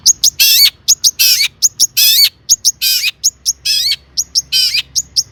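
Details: Long-tailed shrike in active song rich in mimicry, played to set off other shrikes; thin high pips mixed with loud harsh churrs that slide downward, repeated about once a second.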